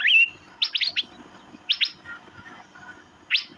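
Asian fairy-bluebird giving sharp, high, upswept chirps, some in quick clusters of three or four, with softer lower notes in the gaps.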